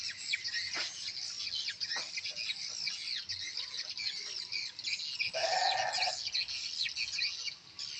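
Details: Many swiftlets at a new swiftlet house react to Tripelqwin and revised chick-call lure playback: rapid, crowded high chirps throughout, and a short nasal bleat-like tone about two thirds through.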